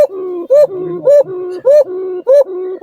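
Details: Basiraj Khoka, a rare domestic pigeon breed kept for beauty and its voice, described as thin, sweet and flute-like with a long drawn pull, likened to a white-breasted waterhen; short rising higher note then longer steady lower tone, repeated about every 0.6 seconds.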